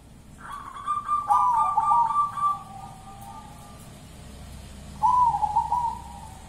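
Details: Kuntilanak-style song from a local zebra dove: long, level cooing notes broken by short warbling trills, then a second trilled phrase after a pause, against faint low noise.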